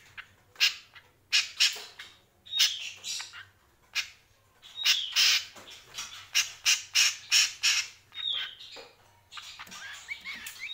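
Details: Greater green leafbird singing vigorously: harsh, broadband squawky notes in irregular bursts, roughly three per second, mixed with short sliding whistles, over a faint low hum.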